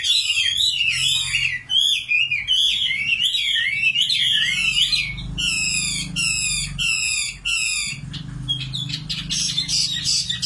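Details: Nightingale song with varied phrases: rolling wavy warbles open, then several loud, separate downslurred notes repeated in a rhythmic series, ending in a fast, higher chattering flourish.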